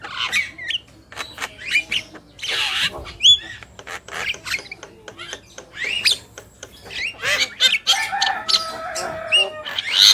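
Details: Javan myna pair, male and female, in full chattering song: scratchy noisy bursts and clicks, scattered brief whistles, and a thin steady whistled phrase late on.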